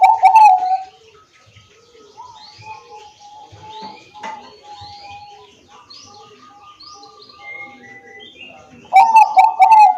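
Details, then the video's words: Bangkok-type zebra dove recorded on an Android phone in Wiradesa, Pekalongan, Central Java, singing as a lure to get lazy doves singing: loud rapid cooing bursts at start and end, softer trilled coos between, with thin high chirps from other birds. "pancingan perkutut bangkok agar bunyi dan gacor setiap hari"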